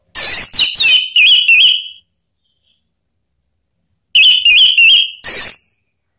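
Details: Orange-headed thrush call meant to make other birds join in and sing freely. Two loud bursts of quick, bright notes each end in a warbling trill, with a pause of about two seconds between them.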